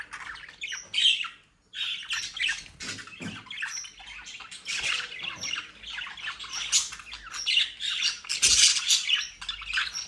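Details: Home-bred captive budgerigars in South Holland, Netherlands, twitter and squawk without pause. A short silence comes early, then rolling waves of chattering build louder.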